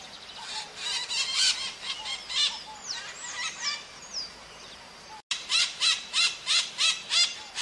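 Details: Maritaca in natural surroundings calling steadily with rough, scratchy squawks repeated about three times per second, broken by a brief gap, with slurred whistles of other birds mixed in.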